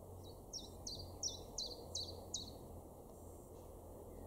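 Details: Common Chiffchaff song from a garden in Weener, East Frisia, northwestern Germany, May 2022: roughly seven crisp, high, down-slurred notes spaced about a third of a second apart, then quiet, over a faint low hum.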